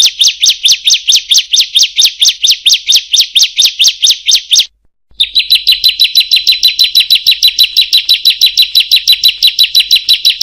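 A Bar-winged Prinia gives a long, rapid series of sharp, high 'kriek' notes, about five a second. It pauses briefly, then resumes even faster.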